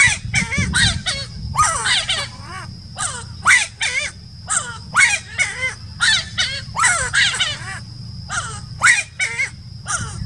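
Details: Giant wood rail (Aramides ypecaha) song at Laguna del Diario, Uruguay, December 2018: loud, harsh, honking notes repeated rapidly, several per second, with a steady high insect hum behind.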